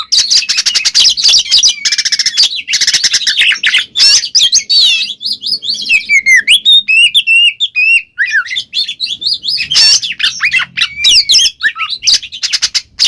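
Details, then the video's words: Oriental magpie-robin in full song, played to provoke a silent bird into replying: fast rattling trills and dense chatter opening into slurred whistled notes rising and falling, then more rapid mixed phrases. "suara burung Kacer NGEPLONG kacer bisu pasti langsung nyaut seketika"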